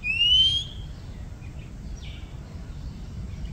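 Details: Oriental Magpie Robin, a common bird living near houses in Thailand: a single loud, clear whistled note sliding upward opens, then two faint, softer higher notes follow over a steady low rumble of background noise.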